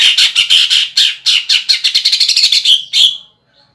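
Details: Caged greater green leafbird giving a loud, harsh series of rapid rattling notes, about a dozen strong pulses that speed up into a rolling phrase and then stop. The notes imitate woodpecker, kingfisher and fighting sparrow.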